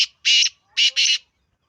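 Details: Black francolin giving three harsh, rasping notes: a clipped first note, a pause, then a quick pair close together, followed by silence.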